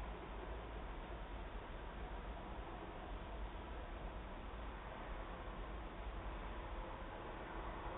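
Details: Constant muffled hiss and low rumble, similar to distant vehicles, with no calls or songs.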